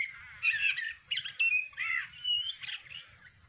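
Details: Male blackbird practising his song on an afternoon in Australia: soft, scratchy warbled phrases in several short bursts, with a brief clear whistled note in the middle.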